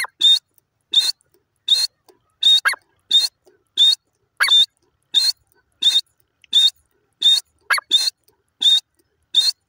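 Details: Grey francolin giving a long run of harsh, high, buzzy notes at a steady pace of a little under one per second, with occasional lower, rising notes tucked between them.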